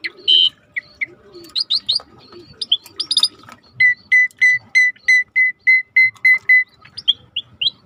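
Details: Starling training recording over river sounds: mixed squeaks and whistles, then a steady series of identical clear whistled notes repeated several times a second, before more varied chips over faint rushing water.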